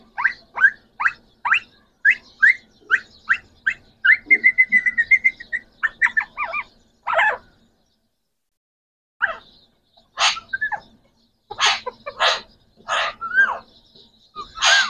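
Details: Green Pakistani talking parrots, three rose-ringed parakeets kept as pets, giving rapid series of short harsh chirps and squawks, a brief buzzy trill, then louder screeches and whistled notes after a pause.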